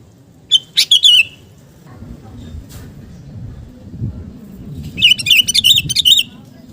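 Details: Sooty-headed bulbul (kutilang garuda), singing actively in the gacor style, used to build fighting spirit in other birds: two bursts of short, bubbly, warbled notes, one near the start and one near the end, separated by a low rumbling background.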